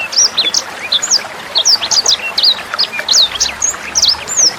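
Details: Tutor song of a sanger bird for young sangers and other cage songbirds. It is fast and unbroken, made of crisp high chirps and brisk whistled slurs repeated many times a second, with water trickling softly underneath.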